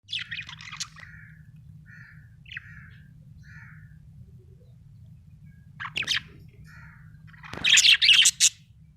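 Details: Happy budgerigar chirping: scratchy, buzzy warbled bursts and short nasal chirps, with quiet gaps between, ending in a loud rapid chattering burst; low steady hum underneath.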